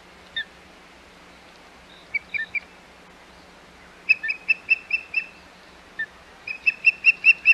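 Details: Osprey calling at the Hog Island nest on 25 May 2021: sharp whistled chirps in short runs, then quicker repeated series of about two per second, with a steady low hum underneath.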